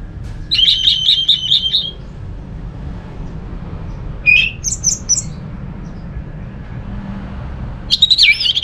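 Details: Orange-headed thrush recorded in Singaraja, Bali, singing to set off other thrushes: a rapid string of repeated whistled notes, then high slurred and rising fragments, and a varied warble at the end, low hum behind.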